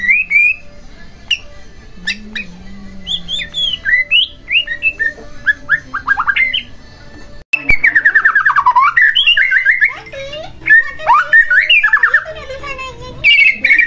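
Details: Varied song of a white-rumped shama, used to goad another shama into singing: soft scattered whistles and chips give way to loud, rapid, tumbling fluty phrases and trills.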